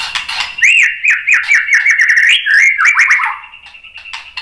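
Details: White-rumped shama song used as a lure for other birds: a fast run of about a dozen slurred whistled notes over a faint steady hum, fading out.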